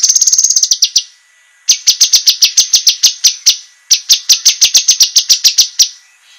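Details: Sharp training song of a cucak kinoi for competition birds, in three runs of rapid, evenly spaced high clicking notes, each run lasting about two seconds with a short silence between.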